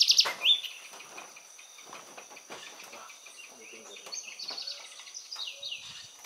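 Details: An amorous pair of spectacled parrotlets at Laguna de Sonso near Cali, Colombia, on 9 July 2019: a loud, sharp chirp, then high, thin twittering notes in quick bursts, over a steady high insect-like hum and faint voices.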